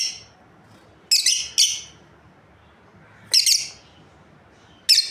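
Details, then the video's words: A lovebird breeding pair calling with piercing high chirps, a faint note at the start followed by quick doubled shrieks and a final sharp chirp, on a quiet background. "Amazing Lovebirds Chirping Sounds"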